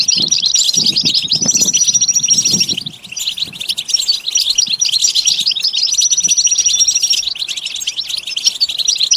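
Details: European goldfinch singing a continuous dense, buzzy twitter with two long thin high whistled notes, accompanied by low rustling noises during the first seconds.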